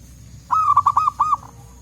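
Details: Wild forest zebra dove of the local type, answering other birds: a one-second phrase of about six clear, ringing coos in a steady tumbling rhythm, ending with a softer note, low rumble beneath.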